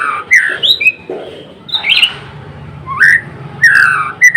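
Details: Gacor song of a white-rumped shama of the Blorok type: clear falling whistles, short upslurred notes and a chattering burst, with a low steady hum underneath.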